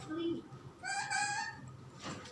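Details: Pet parrot, sleepy, calling "mama": a brief low note followed by a drawn-out, slightly nasal voiced syllable with rich overtones, then a soft breathy sound, indoors with faint background hiss.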